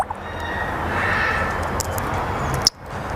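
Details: Steady broadband hiss and rumble, like room or traffic noise, broken by a single sharp click near the end, with no clear animal voice.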